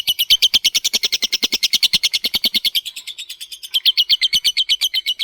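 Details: Long ngekek chattering song from a lovebird, meant to draw other lovebirds into singing. A fast, steady stream of harsh, rattling notes runs about eight per second, pauses briefly near the middle, then resumes just as rapidly.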